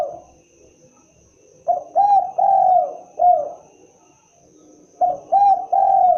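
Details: Spotted dove (derkuku, tekukur) calling in its characteristic voice: two phrases of soft coos, each a quick note, a rising coo and a long sliding coo, separated by a few seconds of near silence.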